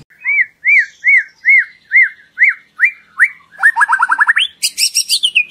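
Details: White-rumped shama singing as a lure to prompt other birds to sing: a run of about eight clear arched whistles at a steady pace, then a fast rattling trill and high sharp notes.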